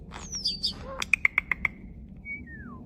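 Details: Human-like sounds from a starling: a high falling whistle, then five evenly spaced sharp clicks, ending with a long whistle that glides smoothly downward.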